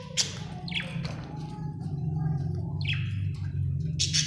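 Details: Happy budgie giving short sharp chirps at intervals over a loud low rumbling hum, with faint tonal warbles between the calls.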